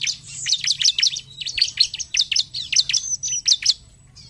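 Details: Bar-winged prinia, 'narung' style song for stimulating other birds: a nonstop run of shrill, quickly repeated downward-slurred chips, roughly eight per second, evenly spaced.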